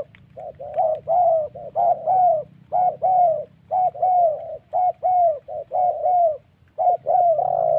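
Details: Spotted doves coo back and forth at a decoy trapping site in the wild hills of the Central Highlands, Gia Lai, Vietnam. Short, husky cooing phrases come in quick series, often a clipped note followed by a longer drawn coo, over a faint low drone.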